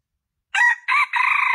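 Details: Junglefowl crowing, played as a lure to attract males: two short harsh notes, then the start of a long, even, buzzy note. No other sounds.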